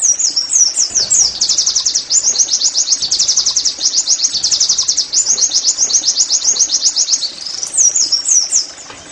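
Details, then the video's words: Pleci, the Oriental white-eye, giving a nearly continuous high trill of rapid chirps in "nembak" style, used to get caged birds singing. A few wavering whistles come near the end. "TERAPI NEMBAK PLECI I, Agar Pleci anda cepat GACOR BOS!!"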